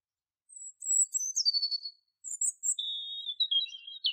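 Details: Wild canary of the woods singing: high thin whistled notes, then clear sliding phrases and a long steady trill ending in a sharp rising note, with no other sounds.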